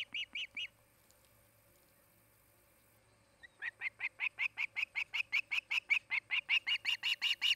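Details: Charlo, Montana osprey nest, 8 August 2018 afternoon: three quick whistled chirps, then nearly three seconds of quiet, then a sustained, even series of shrill yelping whistles that builds in loudness toward the end.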